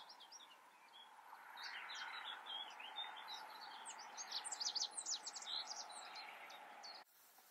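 Rock bunting giving thin, high zipping chirps in quick, uneven bursts, over a steady background hum and other small-bird twitters.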